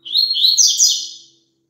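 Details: Double-collared seedeater song played for a caged bird to sing along with: one quick, high, twittering phrase of slurred chirps and buzzy trills lasting just over a second, in a clean, quiet recording.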